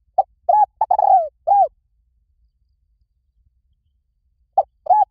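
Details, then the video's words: Spotted dove giving a short phrase of five deep, hollow coos, the middle ones run together into a throaty rolling note. After about three seconds of silence, a new phrase starts near the end. "เสียงนกเขาใหญ่ หมานๆ ต่อเข้าเร็ว ป่าไหนก็เข้า"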